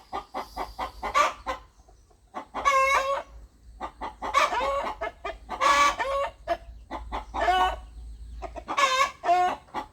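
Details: A rooster clucks in a farmyard, with rapid short clucks and repeated loud harmonic bawking squawks spaced a second or two apart across the clip, with quiet gaps between bursts.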